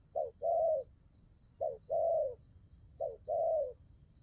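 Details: Spotted dove cooing in the 'đồng gù rước' style, three two-part phrases, each a brief clipped note then a drawn-out mellow coo, spaced roughly 1.4 seconds apart with faint low background hum.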